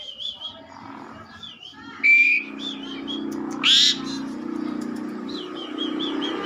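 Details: Asian pied starling in full song, giving two loud clear whistled notes among softer scattered chirps and wavering notes, over a steady low hum.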